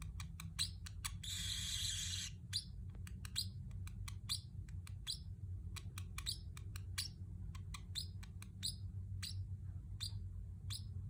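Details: Pet Pacific parrot: a harsh buzzy burst early on, then evenly spaced short high chirps with small upward flicks, over a low background hum.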